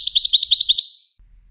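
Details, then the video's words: A European goldfinch being trained for song competitions gives a quick, high, liquid twittering phrase of about a dozen rapid notes. The phrase fades out, followed by quiet. "Training Goldfinches for Song Competitions"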